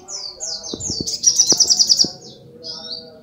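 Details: Brown-throated sunbird singing: high descending slurred notes leading into a quick pulsed trill, punctuated by a few low knocking clicks, ending with a thin whistled phrase.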